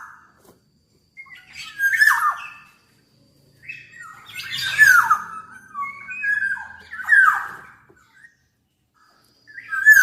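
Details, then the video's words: Black-naped oriole, said to sing very actively, gives a series of four or five raspy, nasal squawks that slide downward, spaced a second or two apart, with a few brief whistled notes between them and quiet gaps. "Burung Kepodang Super Gacor"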